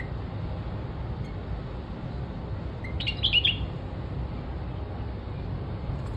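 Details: White-eared bulbul (Pycnonotus leucotis) call in Dubai, United Arab Emirates, apparently at a garden: a brief burst of bright, bubbly chirps lasting under a second over steady low rumbling background noise.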